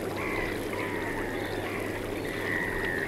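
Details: Piping calls of Eurasian oystercatchers mixed with black-headed gulls in Norfolk, U.K.: drawn-out, even, whistled notes open and close the passage, with softer overlapping calls between them over a constant low hum.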